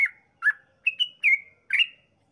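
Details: A sooty-headed bulbul sings a lively lure phrase for provoking other bulbuls: six loud, liquid, down-slurred notes in quick succession, some paired, with clean silence between.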